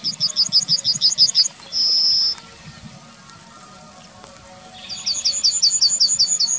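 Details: Yellowhammer in the town of Wittlich, 2019, delivering a rapid run of about ten high, buzzy repeated notes ending in a sustained thin whistle, then starting another fast series after a pause.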